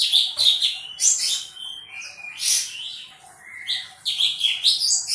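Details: Bulbul singing energetically: bursts of high, bright chirps alternate with short whistled slurs, in loud phrases about once a second, in a quiet setting.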